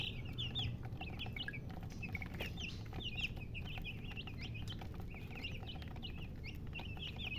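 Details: Chicken chicks chirping in scattered high bursts, some peeps sliding upward, others dropping, with irregular gaps and clicking noises over a low background drone.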